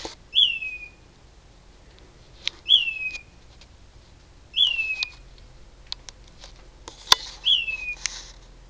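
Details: At 4am in darkness, a loud bird perched in a mesquite tree gives five sharp whistles, each a quick high onset dropping into a short level tail, spaced roughly two seconds apart, with faint clicks and rustles in between.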